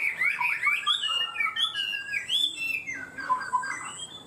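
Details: Chinese hwamei in 'cao cầu' high song, quick to start singing: fluid, swooping whistles that dip and rise, a few drawn-out notes, fading to softer warbles, a thin high tone steady behind.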